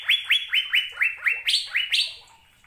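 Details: Asian fairy-bluebird singing: a quick run of about nine bright, upswept whistled notes, each sliding up then holding, delivered roughly four per second before fading out.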